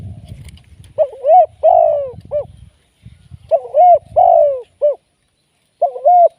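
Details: Spotted dove serving as a live trapping decoy repeats its cooing phrase three times, about every two and a half seconds. Each phrase has a short rising note, a long drooping husky coo and a clipped final note. Faint low rumble sits underneath early on.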